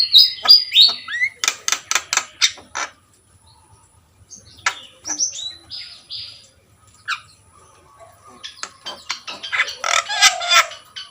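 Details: Javan myna, a kept songbird, opening with fast harsh clicking bursts, pausing, then twisting whistled notes and a final loud chattering scramble.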